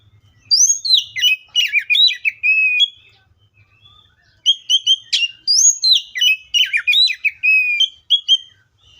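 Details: Rich, varied song of an oriental magpie-robin: two long phrases of fluty rising and falling whistles mixed with quick twittering notes, separated by a short pause.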